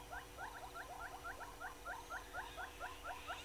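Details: Southern yellow-billed hornbill at Gowrie dam waterhole, Djuma Game Reserve, Sabi Sand, South Africa, 24 April 2022 at 06:53: steady series of hollow clucking notes, about two per second, paired double-toned, with faint birdsong behind.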